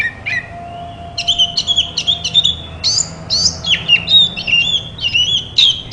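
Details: Singing Oriental magpie-robin (kacer) as a therapy sound to prompt a mute bird to reply: a few opening notes, then a fast run of piercing whistles and chattering trills that gets louder toward the end.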